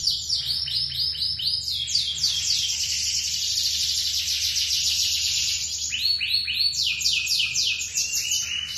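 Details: Long song of a lemon-coloured (ليموني ملتش) male canary: continuous high warbling with rapid repeated descending trills and rolling phrases, dense and unbroken throughout, over a faint low hum.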